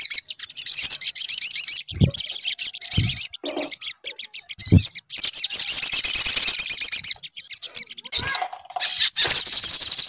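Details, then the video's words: Lure song played to draw a sunbird into singing: dense, high-pitched chattering trills and looping whistles pour out continuously. A few short low knocks and dull thuds break in between phrases. "PANCINGAN SUARA SOGON AGAR BUNYI"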